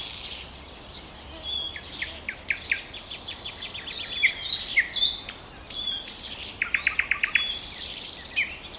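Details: Trilling song of a common nightingale: scattered sharp chirps and whistles build into a quick series of repeated clipped notes, amid a busy background of other birdsong.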